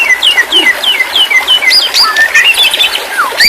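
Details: White-rumped shama song from therapy audio for a stressed bird that has fallen silent: a steady series of short down-slurred whistles, then a jumble of varied higher and lower notes.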